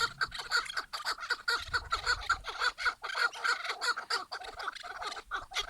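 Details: Rapid chuckling calls of chukar partridges, a string of short clucks repeated nearly twice per second and overlapping between birds, fairly loud against faint background noise.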